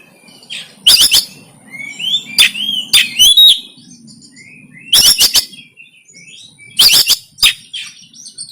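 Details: Oriental magpie-robin fighting song from Banten, recorded on an Android phone and used to train kept birds: loud sharp clicking bursts alternating with rising slurred whistles, in clusters every second or two.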